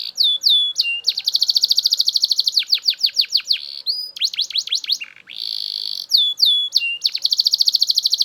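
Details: Very loud Belgian canary singing: rolling buzzy trills alternate with bursts of sharp falling notes, with a brief pause in the middle before the rolls and downslurs resume.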